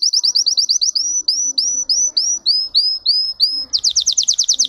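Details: A Russian canary, domestic songbird bred for its song, runs quick clipped notes into slower upswept whistles, then bursts into a loud, rapid rolling trill.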